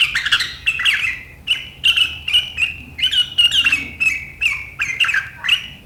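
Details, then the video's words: Sooty-headed bulbul with sharp, chattering riwikan song that sets rivals singing, recorded 7 April 2023: bursts of bright, buzzy notes, each lasting about a third of a second and repeated roughly every half second, with slight downward slurs and a faint low hum beneath. "Suara burung KUTILANG GACOR RIWIKAN yang tajam membuat lawan ikutan ngeriwik"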